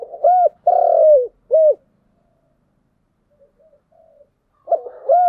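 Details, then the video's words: Deep, hollow cooing from a spotted dove in the giọng đồng song style: a short note, a long falling coo and a clipped final note, then silence before the phrase starts again. "Cu gáy giọng đồng"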